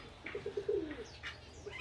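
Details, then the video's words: Pigeons in a backyard aviary at the start of the breeding season give a short run of low, throaty cooing pulses that swell and fade, broken by brief higher chirps from other small birds. "Bên này bồ câu đang gù."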